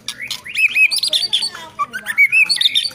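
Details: Rich, fluty whistles from a White-rumped shama: a rapid run of looping, rising and falling notes with a few sharp high accents.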